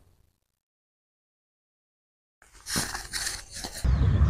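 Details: Near silence for over two seconds gives way to rough scraping and rustling bursts and a loud low rumble at the end, with no animal calls.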